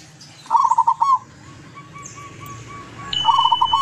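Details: Local wild-caught zebra dove from Tuban, East Java, singing a long melodious phrase: quick bubbling trilled coos finished by a stretched note, given twice with a quiet gap between, over faint background bird calls and a steady high whistling tone.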